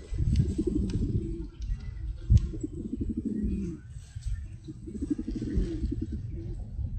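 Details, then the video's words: Pigeons giving repeated low, throaty cooing phrases in three bursts a couple of seconds apart, over a steady low rumble and a sharp click near the middle. "Pigeon Sound"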